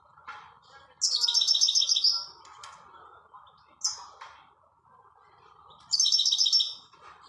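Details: European goldfinch in nature giving short bursts of tinkling, twittery song separated by pauses, with a lone sharp note between bursts, all over a constant low background hum.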